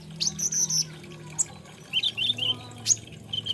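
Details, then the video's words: Olive-backed sunbird (konin) producing a fast high trill, then a few lower, sweeter chirped notes and a sudden sharp high call, against faint low background noise. "SUARANYA BURUNG KOLIBRI NINJA / KONIN"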